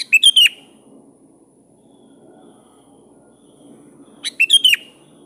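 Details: Sooty-headed bulbul challenging a rival with a rapid cluster of bright, bubbly chirps, repeated once about four seconds later, a soft low hum beneath.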